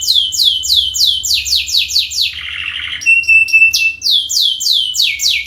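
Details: Canary song as a lure: quick down-slurred whistles in a steady run, a short buzzy rattle, a thin sustained trill with clipped notes, then more fast sweeping whistles.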